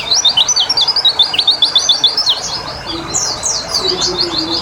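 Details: White-eye treated with water so it starts singing: a quick run of high, rhythmic chirps, then slurred descending notes, with a faint low tone near the end.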